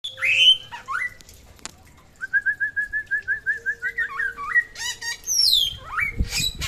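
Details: Samyong from NTB singing vigorously: a few bright rising slurs, then a steady run of about a dozen clear whistled notes, roughly three per second, ending in high sweeping phrases; a faint low steady tone underneath.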